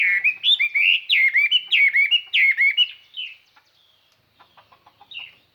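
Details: Chinese hwamei lure bird singing clear, far-carrying song to call and stir up other birds; loud repeated whistled phrases with downward swoops for three seconds, then quieter scattered notes and a last soft phrase.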